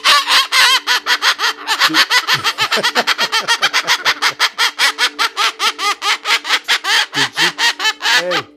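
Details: Pet Moluccan cockatoo indoors in maniacal laughter: a long, loud run of harsh, buzzy pulsed notes repeated about four to five per second, rising and falling slightly, ending abruptly; faint steady hum behind.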